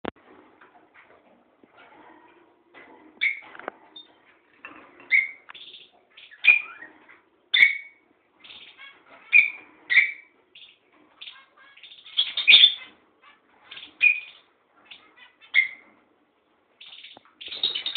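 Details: Budgerigars being quiet give soft, scattered chirps and short warbled notes at a low level, likely contact calls.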